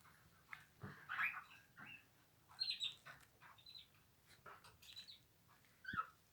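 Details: Cockatiels having a bath give short chirps and scratchy, warbling calls, scattered and irregular.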